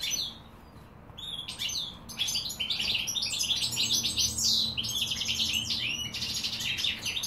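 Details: Goldfinch song recorded in 2016: after a quiet opening second, a rapid stream of bright liquid twitters and short buzzes pours out and continues to the end.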